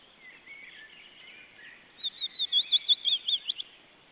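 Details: Restless female osprey: after two seconds of faint chatter, a loud run of about ten sharp, whistled chirps comes rapidly and evenly, then stops abruptly against quiet background hiss.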